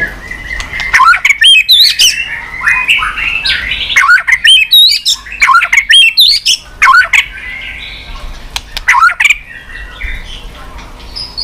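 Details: White-rumped shama making continuous tack calls while flicking its tail, used to stimulate weak-spirited young birds; bursts of harsh squawky notes and sharp clicks in groups, separated by short quieter gaps.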